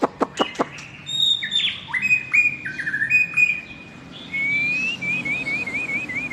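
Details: Long-tailed Medan white-rumped shama in full, energetic song: a few sharp clicks open, then clear whistled notes at varied pitches, long level tones and a fast warbling trill at the end.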